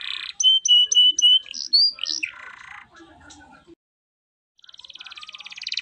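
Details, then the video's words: Canary in 'cengkok mewah' style: a short series of clipped whistled notes and slurs, a low buzzy rattle, then near silence before a soft, fast trill fades back in. "Suara Burung Kenari Gacor cengkok mewah"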